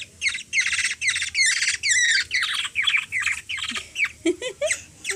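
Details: Hungry Black-naped Oriole (kilyawan) in the Philippines, hand-fed by a three-year-old girl, giving a rapid series of harsh, rasping begging squawks about three per second, ending with a few lower, shorter notes.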